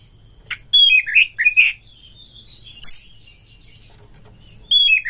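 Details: Oriental magpie-robin (kacer) lure song used to provoke other kacer into singing in breeding mood: short clear whistled notes and slurred falling phrases in bursts, separated by pauses, one high buzzy note midway, quiet low hum beneath.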